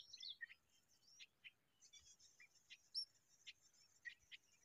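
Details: Common babbler raising a chick: scattered short, high squeaky chirps and thin notes, some sharply descending, arriving in irregular bursts through the recording, with faint soft background noise.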